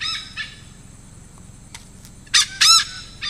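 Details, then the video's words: Malabar pied hornbill (lesser pied hornbill) in the Konkan region of India gives harsh, nasal, cackling notes: two faint bursts, then two loud braying squawks close together near the end. "Call of Malabar Pied Hornbill/धनेश, ककनेर पक्ष्याचा आवाज"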